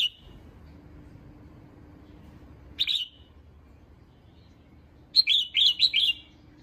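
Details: Caged female red-whiskered bulbul giving its call to stir up males: a short chirp early on, a brief burst near three seconds, then a fuller phrase of four quick warbled notes near the end, with steady low hum throughout.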